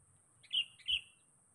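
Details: Sooty-headed bulbul calling for a rival, a lure call: two bright, clear whistled notes, each slightly falling, spaced about a third of a second apart over faint low background rumble.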